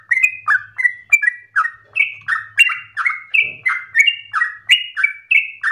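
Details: Yellow-vented bulbul delivering a forceful, long-breathed tutor song for other birds to learn. Fast, chirpy phrases of slurred, falling note pairs repeat continuously over a faint low hum.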